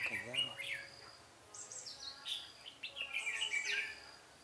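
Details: Red-whiskered bulbul singing as a decoy during trapping, 13 March 2017, in duel style: a brief human voice at the start, then rapid bubbling whistled phrases and sharp high chirps repeating quickly.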